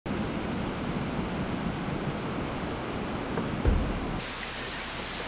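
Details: Dense hiss like rain or wind noise runs throughout, with one brief thump near the end and no animal voices.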